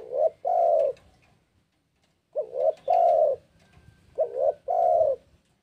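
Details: Spotted dove in breeding condition calling a rival: three low cooing phrases, each a short wavering double note followed by a longer, steady mellow coo, repeated about every two seconds.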